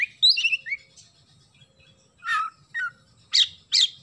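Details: Oriental magpie-robin song with sparrow imitations: a quick burst of bright, looping whistled notes, then a pause and several harsh chattering chirps.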